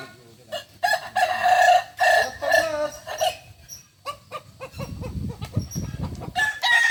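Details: A Kukuak balenggek chicken crows during a final contest in Ampang Kualo, Solok city, Sunday 8 September 2024. The crow is stepped and broken into several pulses over three seconds, followed by quieter calls, clatter and low voices.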